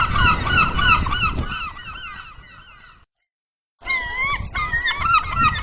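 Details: Many gulls out at sea, crowded nasal squealing cries with rising and falling inflections. The calls fade for under a second of silence, then the flock resumes just as loudly over a low background rumble.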